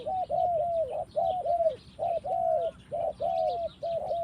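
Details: Forest-dwelling spotted dove delivering loud, rounded cooing notes in close groups of two or three, repeating almost without pause, over soft high chirping from other birds.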